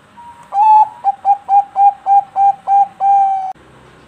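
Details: A captive-bred Bangkok-type zebra dove (perkutut) sings as a lure recording to stimulate other doves. It gives a mellow, mid-pitched coo, then a quick run of short clipped notes, ending on a long drawn-out coo, about three seconds.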